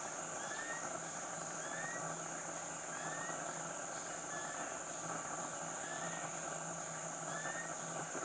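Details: Rufous-collared kingfisher at Khao Luang National Park, Thailand: a series of short upslurred whistles spaced one to two seconds apart, partly masked by a constant high insect whine and humming forest noise.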